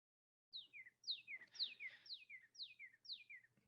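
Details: Northern Cardinal song, central Texas: a series of six clear whistled notes, each slurring steeply downward from high to lower pitch, repeated about twice a second.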